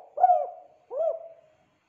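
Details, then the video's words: Spotted dove, locally called derkuku or tekukur, calling steadily: two mellow, hollow coos about three-quarters of a second apart, each with a short upward-bent lead-in swelling into a sustained humming tone, then silence. "DERKUKU TEKUKUR DERUK GACOR ABISSSS"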